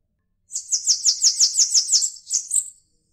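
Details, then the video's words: Bananaquit singing: a high, thin, buzzy string of about ten rapid notes in a little over two seconds, the last two slightly higher and separated by a short gap, with nothing else audible. "Sibite Cambacica Cantando"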